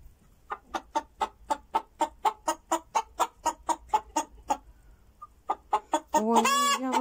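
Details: A chicken with a rooster's tail but no comb, whose owner is unsure if it is hen or rooster, clucks in a fast, steady run of short pulses as if it has laid an egg, then breaks into a loud, drawn-out squawk.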